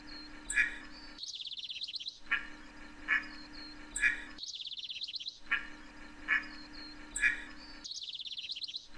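Scaly-sided Merganser: short harsh notes and a quick, buzzy rattling series that recur about every three seconds over a steady low hum.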